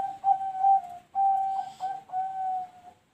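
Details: Perkutut, the zebra dove, giving noklak nekung style song: four drawn-out, smooth, whistle-like coos on a steady pitch, each about half a second long, separated by brief gaps, in a quiet setting.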